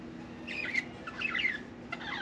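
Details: Single pet budgerigar chattering in three scratchy, warbling bursts with quick chirps between them, heard indoors over a faint low hum.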